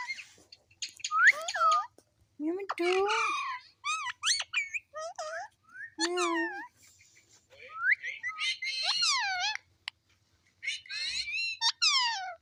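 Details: Talking pet parrot saying its own name repeatedly: long run of clear, harmonic speech-like syllables with sweeping pitch, some deeper throaty notes and high squeaks, in phrases broken by brief silences.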